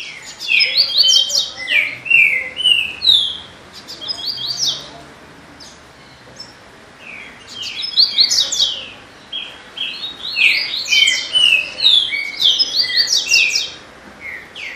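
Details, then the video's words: Double-collared seedeater singing two long bursts of rapid, varied whistled and trilled notes separated by a pause of about two seconds, high and bright throughout. "Coleiro muito fibradao"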